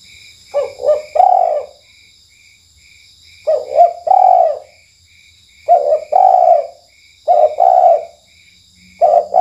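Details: Spotted dove played as a night lure call, a locally kept cage bird prized for its melodious voice, giving repeated low hollow coos in short phrases of three to four notes, each phrase separated by about two seconds of quiet.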